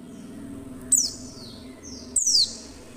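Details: A female Oriental white-eye, whose call is used to prompt males to sing, gives two thin, high notes, each sliding sharply downward, about a second apart, over a faint steady low hum.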